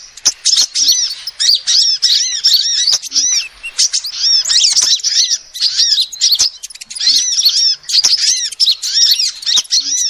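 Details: Rapid high twittering from a female sunbird, a call used to lure birds. Busy chirp sequences with curved, slurred notes come in three or four long bursts separated by quieter gaps.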